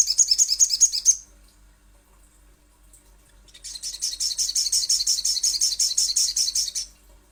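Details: Little spiderhunter (sogon or sogok ontong) as a lure call: a one-second burst of rapid, shrill chattering notes, a pause, then a longer steady run of fast high-pitched chips lasting over three seconds.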